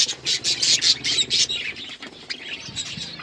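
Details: Budgies in a flock while eating, with a loud run of rhythmic, raspy chirps pulsing about four times a second, then softer scattered twitters and a single sharp squawk.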